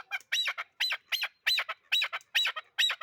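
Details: Chukar partridge repeating strident, rasping two-note chuk-ar calls about twice a second, loud and even, in a quiet setting.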